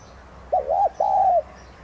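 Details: A single coo from a decoy spotted dove, subspecies tigrina, used to stimulate singing: two quick arched notes followed by a longer, slightly falling note, low and mellow over quiet background hiss.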